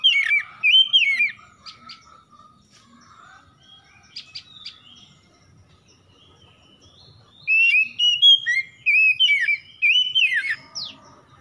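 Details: Dawn song of an oriental magpie-robin (kacer), used as a morning lure to revive stressed birds into full song: a loud whistled opening, quiet scattered chips, then a long rich run of warbled, looping whistles.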